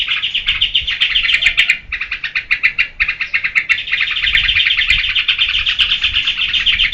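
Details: Trucuk, the sooty-headed bulbul, in full 'geberan' delivery. Quick staccato notes pour out at about four per second, with a brief pause before the rattling chatter resumes and runs on unbroken.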